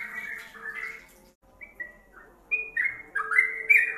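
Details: Yellow-vented bulbul song, part of a combined recording for training songbirds: short slurred and warbled mid-pitched phrases in bursts, a pause near the middle, then louder rising-and-falling notes, over a faint steady hum.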